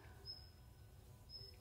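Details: Male Daurian Redstart, the father bird, calling after its nest was found overturned and the chicks gone, possibly taken by a cat. Two thin, high, drawn-out whistles about a second apart over a steady low rumble.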